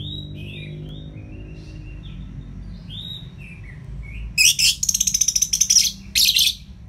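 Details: Ngeplong-style song of an Orange-headed thrush: quiet, thin wavering whistles at first, then an abrupt loud stretch of rapid buzzy, shrill trills and chattering notes near the end.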